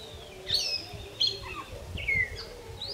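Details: Wild African grey parrots giving evening chorus calls around 5:30 in Uganda, a nightly habit; loud whistled notes sliding down and up, several separate calls over a few seconds with low rumbling background noise.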